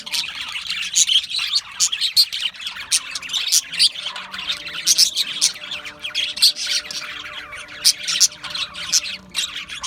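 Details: A crowd of Australian budgies keeps up steady, noisy chatter, high chirps and harsh squawks repeating in quick pulses throughout.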